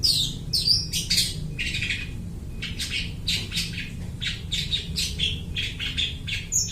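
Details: Long-tailed shrike singing eagerly while copying other birds' voices, used as a lure; a rapid run of scratchy chattering notes, about two each second, over a steady low hum.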